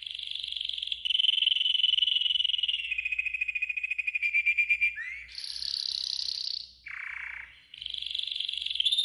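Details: Golden yellow canary singing a training song: long level rolling trills that slow into distinct pulses, then a rising swoop, a loud high buzzy tour, a lower rasp and a quick high trill.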